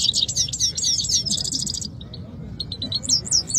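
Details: Rival canaries from Quetta sing against each other. A quick series of bright, descending chirps rolls into a buzzing trill, breaks off, then resumes with softer rising-falling whistled notes.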